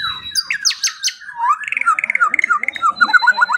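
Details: Training song of a white-rumped shama, played mornings and evenings to get silent birds singing their fill-in phrases: high chipping notes, then a fast trill of short paired notes that quickens toward the end.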